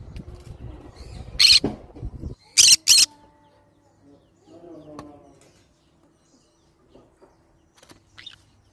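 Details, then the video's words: Green-cheeked conure giving a loud harsh squawk and then a quick pair of shrill screeches over low rumbling room noise, followed by quieter soft chatter and a faint thin high note. "green cheek conure sounds"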